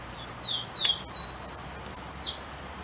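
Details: Golden-crowned warbler song: soft lead-in notes and a click, then a sequence of high, drawn-out whistles rising in steps and finishing with a falling slur, over faint background noise.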